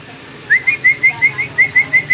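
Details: Long-tailed shrike singing a brisk series of about nine short, clear, high whistled notes, each slightly rising, evenly spaced several per second, over a steady background hiss.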